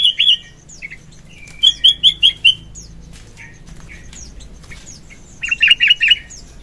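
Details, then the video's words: Sooty-headed bulbul singing actively in the morning, a recording used for luring and tutoring: short clear whistled phrases, including a quick run of four or five bright rising-falling notes, with pauses between bursts. "Burung Kutilang Gacor Pagi - suara kutilang gacor isian - suara kutilang gacor pikat terampuh"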